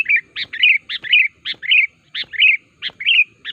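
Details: Sooty-headed bulbul lure call used to make other bulbuls answer and sing: sharp short chirps alternating with quick warbled phrases, repeated briskly about every half second.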